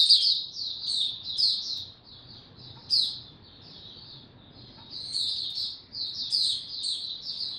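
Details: Sweet, thin warbling from an Oriental white-eye singing slow and easy, high chirps in clusters with a quieter gap mid-phrase, then a renewed twittering burst.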